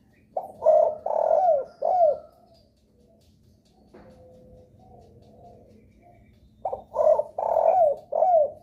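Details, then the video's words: Lure call of a spotted dove, meant to make other doves start calling: a burry cooing phrase, a quiet gap with a thin faint tone, then the phrase again with drawn-out coos sliding downward. "suara pancingan DERKUKU paling di sukai derkuku lain..sekali dengar langsung respon gacor"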